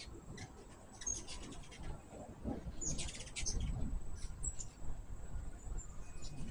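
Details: At a sugar-water feeder, hummingbirds give scattered thin chips and one loud burst of rapid, high, buzzy twittering, with noticeable low rumbling noise throughout.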